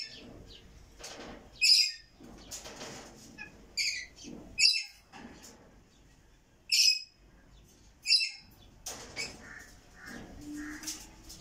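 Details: Rainbow lorikeet giving about six shrill, harsh screeches in short bursts at irregular gaps, with softer chattering and faint rustling between calls.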